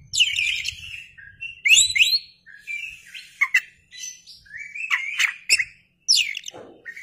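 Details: Oriental magpie-robin singing vigorously while fanning its tail, a kept songbird: a rich, varied run of clear whistled phrases, sharp slurred notes and short buzzy trills, with brief pauses between bursts and no other sounds.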